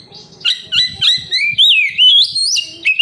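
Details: Oriental magpie-robin (kacer) singing, offered as a lure for captive birds: a string of short whistled notes rising into long sweeping, gliding whistles, with a faint low rumble beneath.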